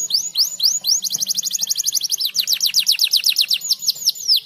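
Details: Stimulating canary song: a few loud falling whistles, then a rapid, regular trill of short sweeps, slowing into spaced downward slurs; a faint low hum runs underneath.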